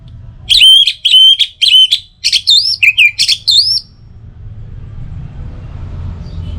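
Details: Song of an orange-headed thrush, played morning and evening to make other birds sing more: three strong repeated ringing notes, then a fast run of twisting, up-flicked whistles, ending in soft background hum.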